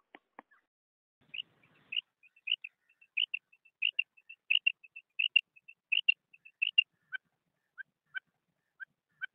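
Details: Common quail (Coturnix coturnix), female call.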